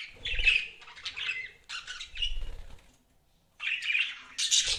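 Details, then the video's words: Pet budgies chirping in raspy, chattering bursts, each lasting about a second. The bursts are separated by short pauses and end in a higher squeaky note, with faint wing or cage rustling below. "BUDGIES CHIRPING SOUND"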